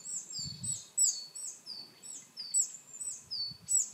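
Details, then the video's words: High, thin call notes of a willow tit, coal tit and varied tit also present, repeated in quick pairs: sharp upslurred chips followed by descending whistled slurs, over soft low background rumble. "コガラ 地鳴き"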